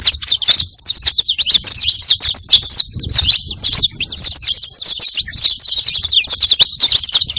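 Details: Lure song of a saffron finch, a long, energetic chatter of rapid high chirps and zigzag notes, repeated phrases running steadily for over seven seconds.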